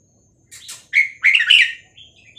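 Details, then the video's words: Red-whiskered bulbul of the Vietnamese type, a caged songbird, delivering one quick chattering, warbling phrase of several slurred notes, used to tutor young birds and stir birds up; a faint low hum runs underneath. "นกกรงหัวจุกเวียดนาม 3-4-5-6-7 เปิดสอนลูกนก เปิดยั้วนกฟังนกคึก"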